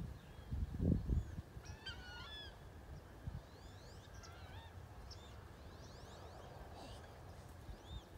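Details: Wood duck whistles recorded in 2018: a burst of rapid rising and falling squealing whistles around two seconds, then more upslurred whistles spread through the rest, after a loud low thump at the start.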